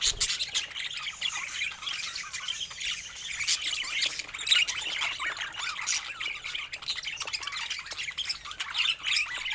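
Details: Happy pet budgerigars give a nonstop flock chatter of scratchy, twittering warbles and sharp chirps, fairly even in loudness throughout.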